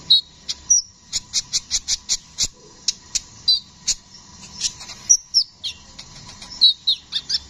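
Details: Kolibri ninja, the brown-throated sunbird, in lively rolling song. Quick regular bursts of shrill ticks alternate with thin, slurred squeaky whistles, the notes coming several per second with brief breaks.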